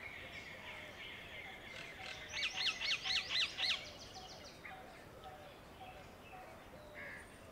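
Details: In a Delhi garden, a pair of wire-tailed swallows rests on a swimming-pool ladder before darting out for insects; a loud burst of six quick, arched chirps over a second and a half, against a steady murmur of distant birds.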